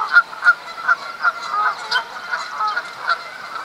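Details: Canada geese at Duke Farms, New Jersey, in April during the spring mating season, when they fight over females; several birds overlap in a rapid, uneven series of nasal, mid-pitched honks, about three per second.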